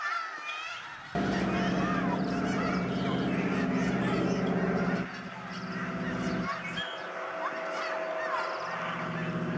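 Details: Snow geese flying in huge flocks at George Reifel Migratory Bird Sanctuary, Delta, BC, in March 2011: a roaring mass of honks, up to four a second, over a steady low droning hum that starts and stops.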